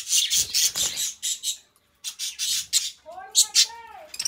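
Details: Two pet budgerigars singing together: bursts of scratchy, buzzy high chatter broken by short pauses, then a run of clear, harmonic, downward-curving whistled notes near the end.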